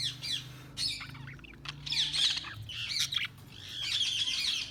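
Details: Budgies give scattered high warbling chirps and short squawks in uneven bursts, with a low background hum.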